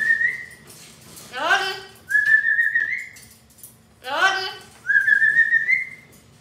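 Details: Pet parrot kept indoors; two rounds in which a descending harmonic squawk is followed by a long, level, slightly rising whistle, with a faint low hum underneath.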